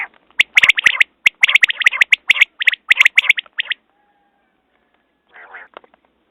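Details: A dense, rapid chatter of clipped high quail notes for nearly four seconds, then a pause and one softer buzzy burst at the end.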